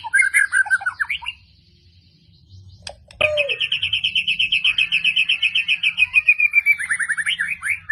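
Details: White-rumped shama from Medan pouring out sharp 'tembakan' shots: a short warbled phrase, a pause, then a long, fast, evenly pulsed trill that gradually falls in pitch and ends in quick twitters.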